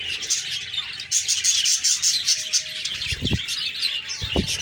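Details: Budgerigars fill the air with dense, rapid, high chirping and warbling chatter.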